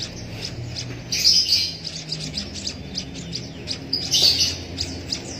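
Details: Young Javan munia begging as it is hand-fed with a used straw; fast high chips broken by two louder, harsher buzzy bursts.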